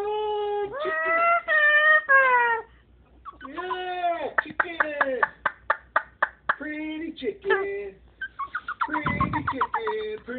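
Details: A female Moluccan cockatoo chatters in speech-like babble, "telling about her day": drawn-out vowel sounds broken by quick runs of clipped syllables, in a small indoor room.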